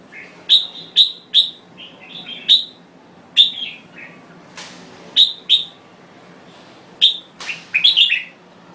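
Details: Red-whiskered bulbul of the Thai type giving spaced, emphatic whistled notes, often in quick pairs or triplets with gaps of a second or more, ending in a rapid jumbled flourish.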